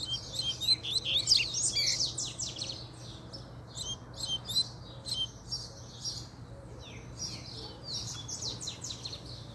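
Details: Energetic coleiro puxada from a Double-collared seedeater: a loud opening rush of rapid high twittering and slurred notes, then repeated quieter phrases of quick sweeps across the rest of the stretch, over a low background hum.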